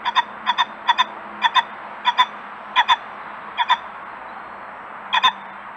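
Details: A common pheasant, filmed close up on a trail camera in a garden at Burton Joyce, calls at the end: a run of short, hoarse double 'kok-kok' notes, about twice a second, over a faint low hum.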